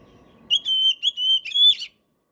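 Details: Oriental magpie-robin (kacer) 'gacor' song, used as a trigger for birds that have stopped singing. A loud phrase of drawn-out, pure high whistles, three level notes, then a rising slurred note, over a faint low hum.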